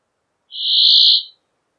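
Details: One long, rasping Brambling wheeze, a steady nasal buzz that rises gently in volume and tails off after almost a second.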